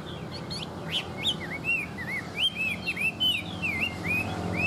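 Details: Tame Chinese hwamei singing: a series of rounded arching whistles, repeated and varied, over a noticeable low background hum.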